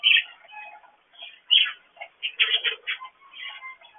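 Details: Male pet budgerigar out of his cage on a tree perch, gaining confidence as his wings grow back; bright scratchy chirps and warbled notes in uneven bursts, some short sharp peeps, others buzzy and chattering.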